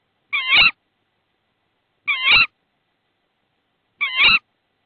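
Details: In Estonia, 22 March 2016, a tawny owl at the nest while a frog is delivered as prey. Three short, wavy, mewing calls about two seconds apart, clean and otherwise silent.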